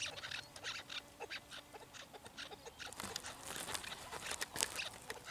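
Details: Several chukar partridges give quick, rough chucking calls in irregular bursts that grow louder and busier toward the end.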